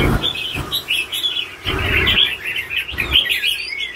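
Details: Caged red-whiskered bulbul, an older bird, singing rapid sweet warbled notes with clear upslurs, in a near-continuous stream punctuated by low thuds.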